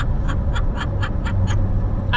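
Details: Captive parrot traveling by car across the Charleston, SC harbor bridge area gives a quick laugh-like series of short, evenly spaced hoarse pulses, about four per second, over constant low road noise.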